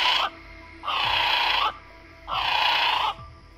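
Southern Brown Kiwi giving harsh, rasping screams, each under a second long, repeated about every second and a half. Faint background hum.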